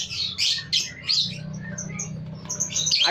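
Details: A crowd of lovebirds kept in a warehouse gives harsh, shrill chattering screeches in quick overlapping bursts, over a steady low mechanical hum.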